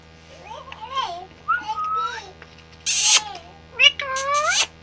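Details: Talking parrot producing speech-like babbled phrases with wavering, rising tones, broken by a harsh raspy screech, in a quiet indoor setting.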